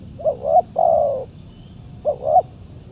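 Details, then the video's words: Wild spotted dove, described as very fierce and aggressive, answering a decoy during a Saturday trapping session; three low hollow coos, the middle one long and drawn out, over faint rural background noise. "PIKAT BURUNG TEKUKUR D GIMBALIN BL SUPER g4Rang"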